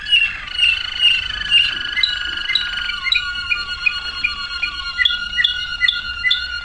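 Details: A waterslager canary runs a smooth rolling trill, then switches to crisp, evenly spaced ringing notes repeated roughly every half second, sustained throughout.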